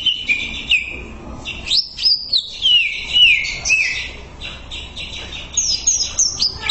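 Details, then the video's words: Greater green leafbird singing on a masteran training track: clean, liquid whistles sliding down and up, slurred loops and short bright notes strung together in a fluent, lively phrase. "MASTERAN CUCAK IJO"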